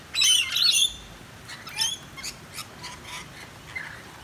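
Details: Wild Rainbow Lorikeets, native parrots of eastern Australia, drenched on a dreary rainy day near a balcony: a loud harsh burst of screechy chatter, then fainter scattered squeaks and chirps over a soft rain hiss.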